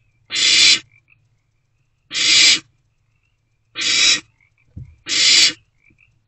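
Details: Young barn owl in a nest box at night after a rodent delivery; four loud hissing screeches at irregular gaps of one to two seconds, with a brief low thump between them.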